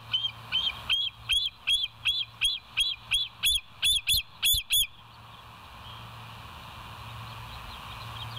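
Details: Bald eagle on a live camera at the West End nest, early morning of 7 July 2023: about a dozen high, thin, piping whistles in quick rhythmic succession, then the calling stops, leaving a faint hum.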